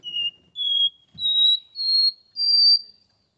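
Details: Porta-voz style song of a caged Capped seedeater from São Paulo, Brazil: five pure sustained whistles in an even ascending staircase, each note slightly higher than the last.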